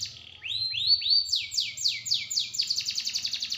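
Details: Song of a small bird, described as sharp, tight and rough: a few upslurred whistles, then a run of quick downslurred sweeps accelerating into a rapid high trill, over a faint low rumble.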